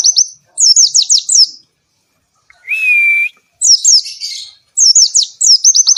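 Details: Oriental white-eye in lively song, meant as a lure and tutor for lazy singers: rapid high twittering phrases of sliding chirps, interrupted by a long, level, lower whistle.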